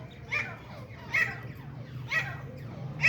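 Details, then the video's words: A grey francolin (grey partridge, teeter), in a recording labelled as hunting and fighting sounds, gives short, harsh, ringing notes about once a second, four in a row, over a low steady hum. "teeter grey partridge grayfrancolin hunting sounds fighting"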